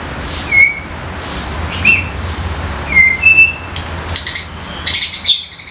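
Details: Young wild White-rumped shama, used to coax other young forest birds into loud singing; clear single whistled notes spaced about a second apart, ending in a burst of sharp high chatter, over a faint hum.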